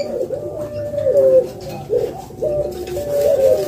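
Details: Spotted dove giving soft, low coos in repeated phrases about every second, each a smooth, slightly wavering tone, with a little background hiss.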